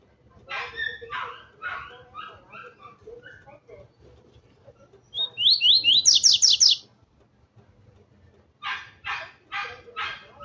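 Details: Double-collared seedeater worked up by a loose female, giving one loud burst of fast descending slurred notes and buzzy high strokes, framed before and after by harsh broadband bursts and low murmuring background noise.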